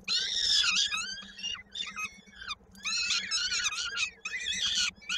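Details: Koszalin, Poland, peregrine falcon nest on 16 May 2022, chick fed while its foot is caught in a beak: strained, scratchy cries, a long first wail then choppy bursts of shorter harsh notes.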